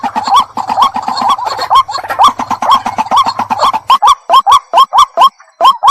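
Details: White-breasted waterhen calling, a recording used as a decoy: a steady run of short, hooked, rising notes, about two per second. A low hum sits under the first four seconds, then the notes stand out cleanly.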